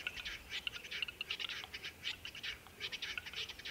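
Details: Male western capercaillie in Belarus, named the country's bird of 2020, during spring lekking, when the song has two parts, the second called whetting. Rapid dry, scratchy bursts repeat in quick runs with short pauses, over quiet background hiss.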